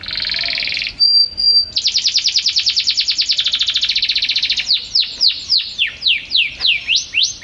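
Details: Lively canary song: a harsh buzzy burst, a pure high whistle, then a long rapid rattling trill that slows into a series of loud sweeping whistled notes, rising and falling, repeated about twice a second.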